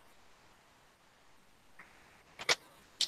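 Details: Quiet room tone with a few sharp clicks and knocks near the end, and no animal voice.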